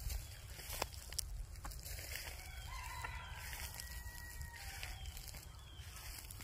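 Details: White rooster giving a faint, steady, tonal crow of about two seconds that ends in a lower tail, partly buried under a constant deep background rumble and sharp clicking noises.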